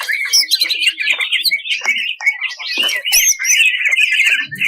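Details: Full-fill tutor song of a 2021 national champion greater green leafbird: a rapid, rough mix of chirps, chacks and upslurred whistles, loud and restless throughout.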